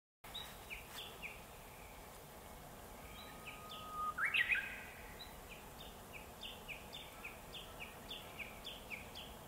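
Black-faced bunting giving thin, high, downslurred chirps repeated every half second or so, with one louder rising phrase midway, over a steady outdoor hiss.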